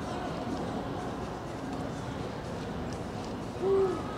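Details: On 16 February 2023 a Eurasian eagle-owl gives one short, low, steady hoot near the end of a stretch of quiet background rumble.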